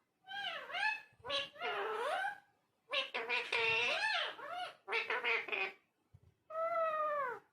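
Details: Talking parrot in a long stream of speech-like sounds with swooping, wavering pitch, broken by one short gap before a final drawn-out syllable.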